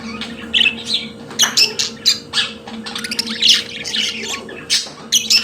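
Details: Budgerigars kept as pets give harsh squawks and rapid chattering chirps in irregular bursts over a steady background hum.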